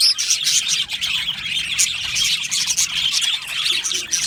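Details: Colony of budgies in an aviary, chirping together in a dense, continuous high warble with quick tweets and short whistled notes layered over one another, no pauses.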